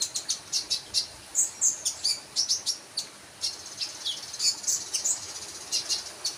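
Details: Sunbird singing a fast, busy run of high, sharp chirps and tinkling notes, closely spaced and repeated throughout.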